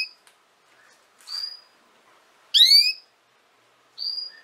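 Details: A female canary utters four brief notes, mostly flat thin whistles, with one loud, steeply rising harmonic note in the middle; quiet pauses separate them.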